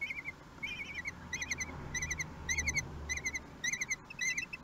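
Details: At a Théding nest in France on 11 June 2021, a common kestrel calls while the male brings prey: short bursts of sharp, bright chevron-shaped notes, repeated roughly every half second over a low hum.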